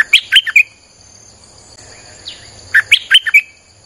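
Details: Streak-eared bulbul song used as a lure for wild birds: two quick bursts of four or five bubbly, chirped notes, separated by a pause, over steady high whining tones.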